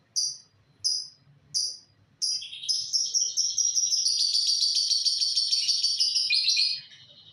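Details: Lovebird singing: three separate short high chirps, then a long continuous rapid trill of shrill high chattering notes lasting about four seconds, loud and close.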